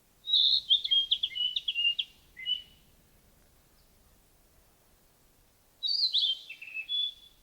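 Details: {'caption': 'Singing Narcissus flycatcher gives a bright phrase of linked whistled notes with a short tail note, then after a three-second pause repeats a similar whistled phrase ending in a sustained clear tone.'}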